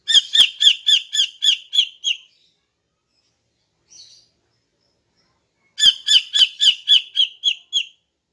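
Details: Morning calling by a female greater green leafbird, used to lure males. Two bursts of about eight quick, harsh notes are separated by a long silence with one faint buzzy note between them.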